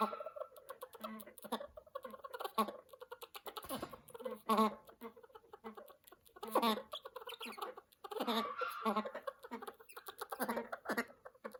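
An Amazon parrot chatters in human-like words and phrases, with nasal, throaty syllables in uneven bursts and short pauses between them.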